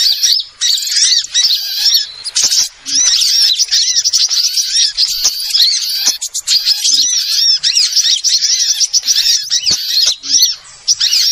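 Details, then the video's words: Lure sound of small birds used to attract birds into traps: a long, dense chorus of shrill chirps, fast trilled runs and rising-falling whistled notes, many birds calling at once with scattered short gaps. "suara Pikat burung Kecil super tajem"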